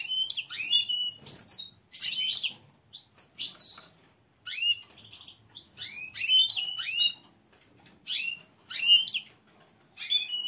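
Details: A female goldfinch calling for mating: bright, liquid twittering bursts, high and fast, repeating every second or two with short pauses. No other sounds stand out.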